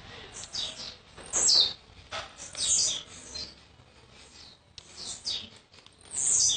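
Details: Blue-black grassquit, young bird from Jacarepaguá, Rio de Janeiro, that arrived yesterday, repeating high sizzling descending notes roughly every one to two seconds, with softer chips between.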